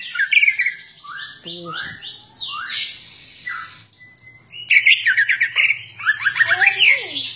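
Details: Greater green leafbird singing an isian-style song: rapid sliding whistles, harsh scratchy bursts, a held steady tone, then fast repeated chirps and a rising-falling slur near the end; a low hum throughout.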